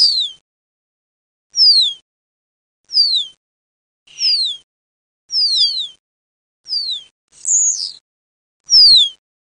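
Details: Common starling calls from a hunting lure mix: a clear whistle sweeping sharply downward, repeated roughly every one to one and a half seconds, with one brief harsh buzzy note near the end.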